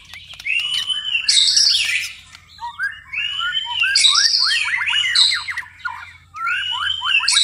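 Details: White-rumped shama singing at night in repeated phrases a few seconds apart. Each opens with a rich arched whistle and breaks into harsh high buzzes and a cascade of falling, rattling notes.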